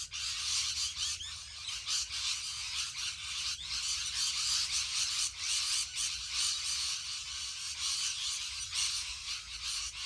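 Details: Massed shrill screeches and squawks from a huge flock of rainbow lorikeets, steady and dense throughout, a harsh high chatter with frequent overlapping bursts and no pause.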